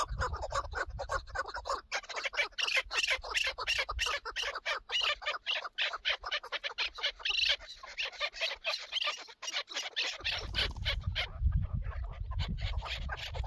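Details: Chukar partridge calling during a hunt: a long, fast chattering run of sharp, scratchy chuk notes that speeds into a dense burst, then fades as low rumbling noise rises near the end.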